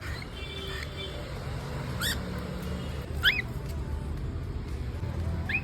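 A young cockatiel gives a few short, bright chirps that bend upward, begging to be fed.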